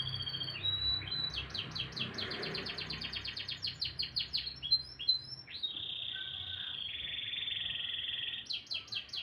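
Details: Morning canary song with varied phrases: quick rolling series of sharp chirps, a sustained buzzy trill, then renewed bursts of rapid sweeping notes over a quiet background.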